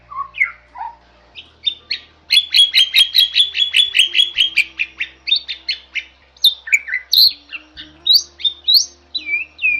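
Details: Singing Bali myna, a protected and increasingly rare species in its Bali habitat, on a tutor recording: a few opening slurred notes, then a fast rattling series of repeated bright notes, ending in scattered whistles and squeaks.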